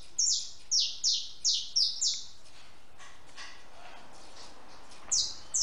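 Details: A house sparrow visiting a backyard feeder to eat and drink calls in a quick series of six falling chirps, goes quiet for about three seconds, then chirps twice more.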